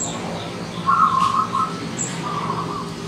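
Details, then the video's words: Wild local zebra dove in morning song, giving one clear bubbling, trilled coo of under a second, followed by a weaker echoing phrase. Faint high chirps and a constant low background hum. "Perkutut Lokal Alam Manggung di Pagi Hari"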